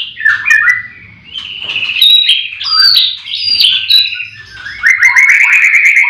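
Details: White-rumped shamas in a breeding farm singing in the morning: varied whistles and short trills give way to a fast buzzy, rattling series of notes near the end.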